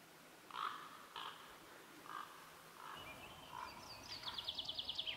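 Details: Western capercaillie (wood grouse) singing at a lek in a Russian forest in the morning: sharp clicks about once a second, then a fast run of dry, scraping ticks near the end, over faint background hiss.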